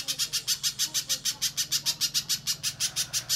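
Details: Little spiderhunter song serving as a training model for contest birds: quick, evenly spaced, shrill high chips around three per second, with faint soft lower twitters in the background.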